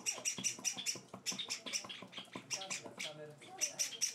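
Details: Java sparrow chicks, four days in their new home, give rapid, high, scratchy begging chirps, two or three a second, during hand-feeding; a faint murmur of voices may be in the background.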